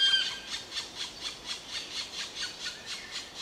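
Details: Black woodpecker giving a steady series of harsh, rasping squeals, roughly two per second, with a brief clear whistled note at the very start.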